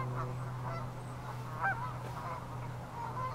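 Ross's goose giving short, high, squeaky honks, a few spread over three seconds, above a steady low hum.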